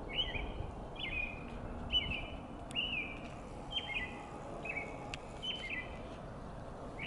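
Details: On a foggy spring morning, a robin sings a string of short, clear whistled phrases, roughly one every second, over a steady low rumble, with a train horn also present.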